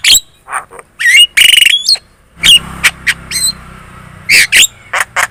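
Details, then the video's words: Javan myna lure song meant to get other birds calling back: harsh buzzy squawks and chips, a brief pause, then scattered sharp notes over a faint low hum. "PANCINGAN JALAK KEBO super gacor cerewet.di jamin burung kamu langsung nyaut"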